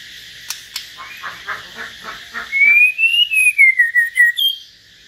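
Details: Common hill myna singing solo alongside a white-rumped shama: a run of harsh, rasping bursts, then a loud clear whistle that rises and falls, broken into rapid pulses near the end.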